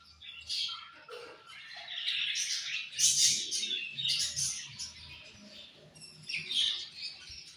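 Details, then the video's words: Several colourful budgies chirping together, a dense chatter of high warbles, squeaks and twitters rising and falling in bursts, with brief louder peaks and no other clear sounds. "Very Charming Colorful Beautiful Budgies Chirping Sounds"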